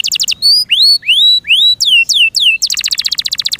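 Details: Captive canary opens with a quick trill, then sings slow rising and falling whistled slurs about twice a second, before finishing with a rapid high rolling trill.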